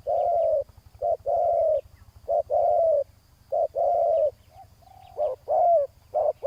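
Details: Spotted dove coos as a decoy on the ground draws a rival: blocks of husky, steady cooing broken by short gaps, with a few sharper inflected notes near the end and a soft low pulsing underneath.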